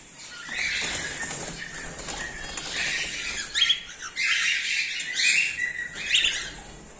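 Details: A cockatiel colony, breeding season 2024/2025, of cream-face ino and normal grey birds: overlapping shrill chirps, whistles and wing flutters of flock chatter.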